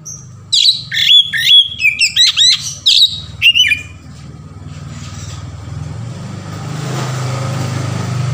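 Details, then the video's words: Oriental magpie-robin singing varied 'ngeplong' song, used as a lure to get other magpie-robins singing: loud clear whistled phrases with rising and falling slurs for four seconds, then steady engine-like hum takes over. "SUARA KACER NGEPLONG VARIASI | PANCINGAN KACER"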